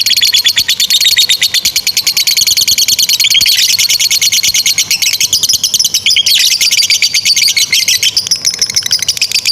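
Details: A lovebird pours out a long ngekek trill for young birds to copy: dense, rapid, shrill chattering held for nearly ten seconds, with slight pitch shifts partway through.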